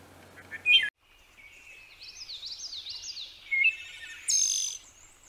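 Wood thrush singing flute-like, wavering phrases that end in a high, shimmering trill; a few brief notes come before them.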